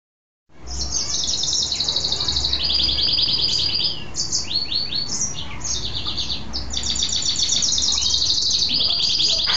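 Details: Caged male mule goldfinch, a goldfinch hybrid, singing happily after taking a bath: fast, high twittering trills and buzzy rattled phrases run almost continuously, with short whistled notes between bursts. Low background hum.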